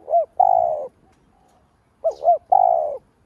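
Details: Spotted dove lure call meant to excite other doves: the end of one phrase, then a full one of two short arched hoots leading into a long, even, vibrating coo.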